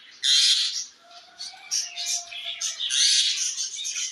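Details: A parrot calls to another parrot with a loud raspy screech, then softer, uneven chatter, then a second long harsh screech.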